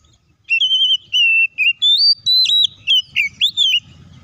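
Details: Oriental magpie-robin sings a run of clear, high whistles, some held level, others rising or quickly slurred, about a dozen notes in three seconds over a quiet background; song used to provoke other magpie-robins into singing.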